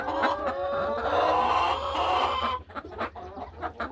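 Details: Laying hens in their hen house on a farm afternoon; a sustained, wavering moaning cluck lasts over two seconds, then gives way to short scattered clucks and soft rustling over a low hum.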